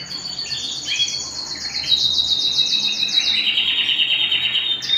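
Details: Canary singing at home: long, bright, high trilled phrases that run steadily, then drop to a lower rolling trill near the end, with a quiet room background.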